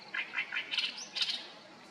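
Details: Great reed warbler in Japan, singing noisily and lively: harsh, grating, chattering notes repeated in quick bursts, rising to louder, scratchier phrases, over a steady background hiss.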